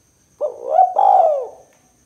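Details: Spotted dove, kuk 2 call type for luring birds; a single cooing phrase, a rolling start rising into a short note, then one long, slowly falling coo.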